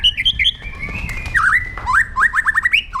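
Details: White-rumped shama, a kept songbird, giving aggressive song used to train other birds: high whistled notes, a long level whistle, then a run of quick rising, slurred whistles repeated about every quarter second.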